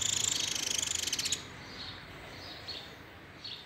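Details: Saffron finch singing the complete song style called "el rollo": a very high, rapid run of evenly pulsed buzzy notes for over a second, then only faint distant chirps against a low background hiss.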